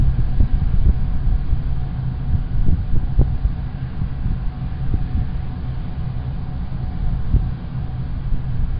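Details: Steady low rumble of road traffic with occasional soft thuds, and no animal calls.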